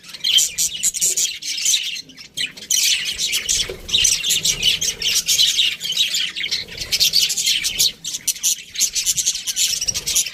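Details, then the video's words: Budgies in an aviary chirping together: a dense, continuous stream of high, scratchy chirps and warbles with only brief dips, many birds calling over one another throughout. "Budgies Parrot chirping sounds"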